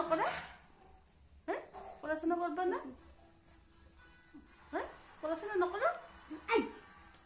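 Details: A caged, talking Alexandrine parakeet utters short, speech-like phrases with harmonic, voice-like syllables in bursts about two seconds apart, between brief sharp squawks.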